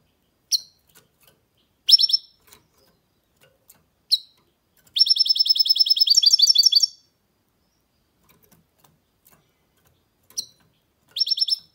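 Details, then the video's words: Mule goldfinch hybrid singing: scattered sharp high chirps, then a two-second rapid, even trill of repeated notes, silence, and more single and paired chirps near the end. "Goldfinch mule’s (hybrid) singing"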